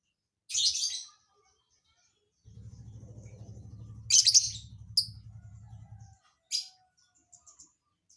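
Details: Lovebird singing an odd isian filler song: a rough, noisy burst, then a low steady hum beneath harsh chatter and a short whistle, ending with scattered thin high notes.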